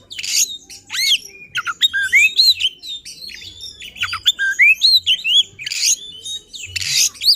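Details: Worked-up oriental magpie-robin singing aggressively, showing its repertoire, to provoke other magpie-robins; rasping harsh bursts mixed with rapid upswept and downswept whistles in dense, restless phrases.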